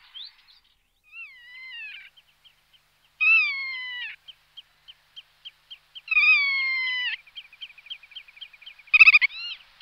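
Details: Black-tailed godwit giving separate nasal, harmonic calls that dip slightly in pitch, with a long buzzy call near the middle. Soft ticking notes fill the gaps, ending in a short burst of rapid stuttered notes.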